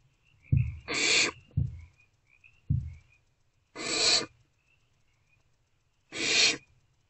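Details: Young barn owls in a nest box at night, 1:28–3:20 am, 3/2/24, snuggling. Three dull low thumps alternate with three loud, breathy, rasping hisses, each hiss lasting under a second, with faint thin peeps in the gaps.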